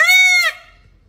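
A peafowl gives a single loud, nasal, trumpeting wail lasting about half a second. It rises slightly, then drops away into silence.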